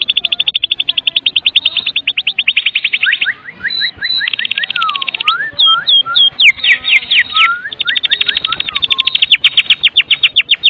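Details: White-rumped shama of the Medan type singing a kretekan song full of isian fill, used to lure other shamas into singing: long runs of fast rattling notes, then varied whistled upslurs and downslurs, then rapid rattling again, with faint music underneath.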